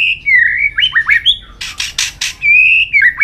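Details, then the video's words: A White-rumped shama at peak condition sings continuously, flicking its tail. Its song starts with flowing, wavering whistles and chirpy slurs, then a few broad, harsh rasping bursts, then a long clear whistle. "chòe lửa đạt điểm lửa hót đánh đuôi liên tục"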